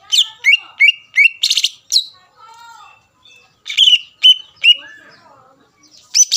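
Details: Greater green leafbird singing to excite rival leafbirds into song: rapid run of sharp whistled notes roughly every third of a second, a harsh buzzy burst, softer low warbles, then more bright whistles.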